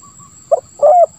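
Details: Spotted dove in the 'lambung kuk 1 suara ngeruk' style, used to coax silent doves into calling: a quick double note followed by a long, smooth, slightly falling throaty coo.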